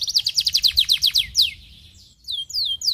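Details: Canary stimulating song with a quick series of about a dozen high descending notes, a short pause, then a few slower slurred whistles.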